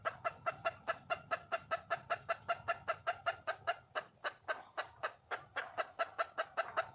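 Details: Junglefowl hen in the wild calling to attract a male, producing brisk, regularly spaced clucks, about two and a half each second, with a low rumbling background.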